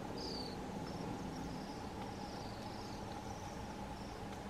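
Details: Bohemian waxwings visiting a crab apple tree one morning on January 15, 2022 in Telkwa, BC, give thin, very high trilled calls, several short buzzy notes a second, faint over a steady low hum and background rumble.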